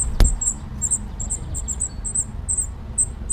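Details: Spotted flycatcher nesting in an unusual spot among screws in Dombóvár, Hungary, 8 June 2017, gives thin, very high squeaky calls, roughly three per second, over a steady low rumble, with one sharp click near the start.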